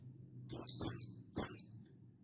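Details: Buxtoni mountain white-eye calling out to a rival, used to provoke other white-eyes into song, dated 16/8/22: three sharp, high whistles, each sliding steeply downward, the first two close together, over a soft low background hum.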